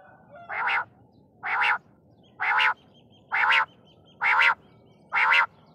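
Six harsh, nasal notes from a quail, each under half a second and repeated about once a second. Faint high chirps sound between them.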